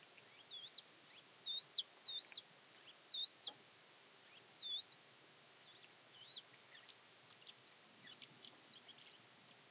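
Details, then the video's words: Thekla's lark (Galerida theklae) singing near Castro Verde, Alentejo, Portugal, on 12 April 2017. Short, clear, high whistled phrases rise then dip in a loose series, then grow fainter after five seconds. Faint distant chirps sound behind. "Thekla Lark Sings"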